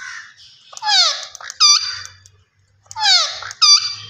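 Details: Talking green ringneck parrot repeating the same short squeaky phrase twice, about two seconds apart. Each phrase is a nasal downward slur followed by a clipped, ringing syllable, with faint low hum between.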